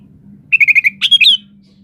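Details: Sooty-headed bulbul singing in lively gacor style, used as a lure and master song to draw replies. Five quick, even notes fall in a steady run, then a brighter, rising whistled flourish, over a low steady hum.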